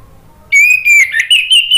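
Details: Orange-headed thrush singing to provoke rival birds to answer: after a short silence, sustained loud whistled notes, the first long and steady, followed by several quick warbled phrases that dip then climb slightly higher.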